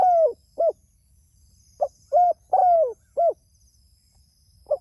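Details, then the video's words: A spotted dove calls repeatedly to its companions; the end of one phrase, then a full set of short note, coo, long falling coo and coo, and the start of another. "Suara Burung Tekukur Gacor Memanggil Temanya"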